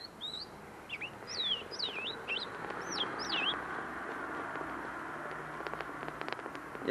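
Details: Tame caged common linnet singing close in front of the recorder, still refining its notes: a run of quick rising and falling whistled notes for about three seconds, then faint clicks and rustling.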